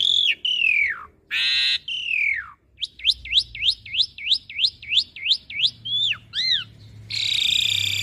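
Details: Asian pied starling song meant as a master for young birds to learn: falling whistles and loud rasping bursts, then about eleven quick repeated upswept whistles, ending in a harsh buzzy note.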